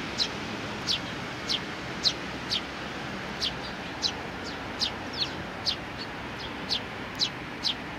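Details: Sparrows filmed on 27 June 2019, a youngster among them trying hard: brief sharp high chirps repeated roughly every half second, fairly evenly spaced, over faint background hiss.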